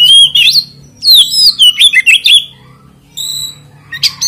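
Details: Lure song of an oriental magpie-robin meant to make other magpie-robins sing: a bright sliding whistle, then a quick string of rich warbled and rasping notes, a pause, and a few high clear tones, with a steady low hum beneath.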